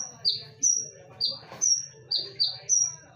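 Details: Konin song used as a lure, with sharp loud whistled notes: a downward-slurred note near the lower pitch alternates with a flat, higher piercing note, about seven notes in three seconds, over a low background hum.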